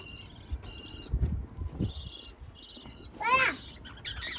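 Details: Budgerigars calling: buzzy repeated harsh notes early on, then one clear warbled chirp sweeping up and down, followed by a short raspy call; faint background noise throughout.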